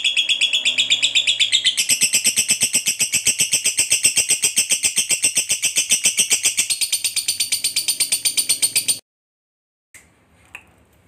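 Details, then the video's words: Lovebird of the fighter type giving a long ngekek, a chattering song used to lure other lovebirds to sing: rapid high buzzy notes about four per second, running unbroken for nine seconds before stopping abruptly, then a couple of faint chirps. "Suara Burung Lovebird Ngekek Panjang"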